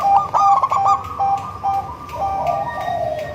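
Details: Melodious song of a local crossed with Bangkok-type zebra dove, used to lure others of its kind: a quick burst of stuttering, rolling coos in the first second, then quieter trailing cooing notes.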